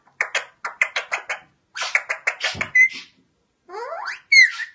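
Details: Parrot chattering in rhythmic clusters of harsh pulsed syllables, then a rising buzzy sweep and a bright whistled note at the end.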